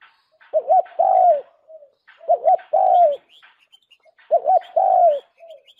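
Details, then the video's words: Spotted dove lure call: three phrases, each a quick double coo then a long sliding falling coo, separated by short pauses about two seconds apart, with soft high chirps in the background. "Tiếng chim cu đất mồi chuẩn nhất"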